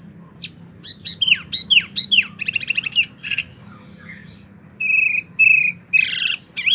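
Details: Wambi song meant for tutoring oriental magpie-robins and other birds: sharp downslurred whistles, a fast buzzy rattle, then a quieter pause before several loud flat whistled notes repeated about every half second.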